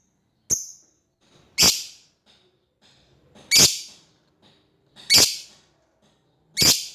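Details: Lovebird calling out to an opponent, giving five loud, harsh, high-pitched screeches roughly every one and a half seconds, with faint soft chatter between them.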